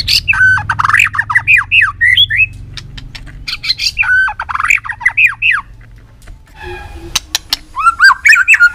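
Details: Voice-training fighting song of a white-rumped shama: loud looping whistled phrases mixed with sharp clicks, the pattern repeated twice with a brief quieter gap, then restarting with crisp notes.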